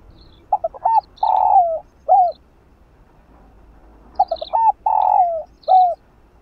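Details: Spotted dove (cu gáy) repeating its cooing phrase twice, roughly three seconds apart: clipped introductory notes, a long coo sinking at the close, and a short final coo; meant to make caged doves coo.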